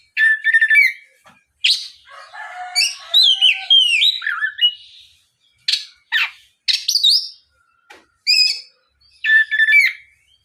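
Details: Oriental magpie-robin lure song to get other magpie-robins singing; clusters of sharp chips, slurred whistles and scratchy notes repeated in short bursts with pauses.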